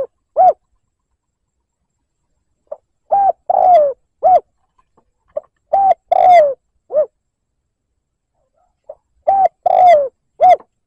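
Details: Rival-provoking lure call of a spotted dove in the liêu lỡ style: four cooing phrases, each starting with a faint short note, then firm hoots, a long slurred descending coo and a dipping final note, separated by quiet pauses.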